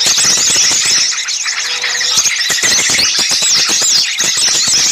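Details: Noisy lure recording of many small birds used for bird trapping: a dense mass of high, squeaky, twittering calls overlapping continuously, with clicking chips throughout and no pauses.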